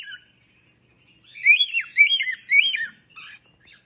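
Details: African grey parrot kept as a pet, giving three loud harmonic notes that each rise and fall in a smooth arch, framed by faint short chirps before and after, in an otherwise quiet setting.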